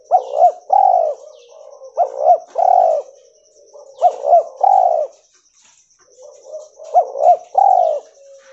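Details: White albino mutant spotted dove giving its coo call: three-part phrases of two quick upturned notes and a drawn-out warm coo, repeated four times, softer murmuring between, and a thin constant high tone in the background.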